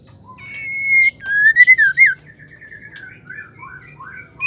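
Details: A female white-rumped shama sings in a way meant to set males singing. A long clear whistle is followed by quick warbled loops and a scratchy squeak. Quieter wavering whistled notes trail off, then a loud note ends the clip.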